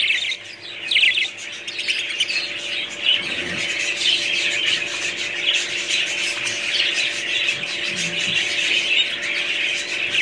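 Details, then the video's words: Flock of budgies in loud, harsh squawking and twittering, a dense wall of overlapping scratchy calls lasting throughout, with a faint hum below. "budgies parrots#2022"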